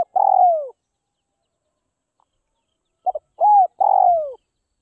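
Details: Spotted dove from northwest Vietnam, a tame-trained bird, ending one phrase with a long falling coo, then after a pause starting another: a stuttered double note, a rising coo and a long descending coo.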